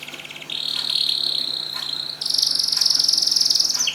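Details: Canary singing in Semarang, used to prompt quiet canaries into song: a steady high buzzy trill holds for over a second, then jumps to an even higher, brighter rattling trill that continues to the end, over a faint hum.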